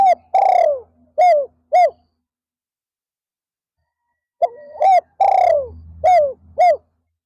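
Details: Spotted dove decoy cooing in an afternoon session to lure wild doves. Two complete phrases of arched and long falling coos are separated by a pause of about two and a half seconds. A faint low rumble sits beneath the second phrase.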